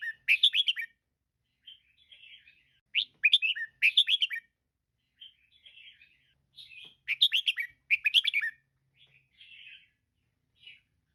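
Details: Sharp, bright chirps from a female red-whiskered bulbul come in rapid clusters of four or five notes, separated by quieter, scratchy warbled phrases. Used to stimulate inactive caged birds. Background otherwise silent.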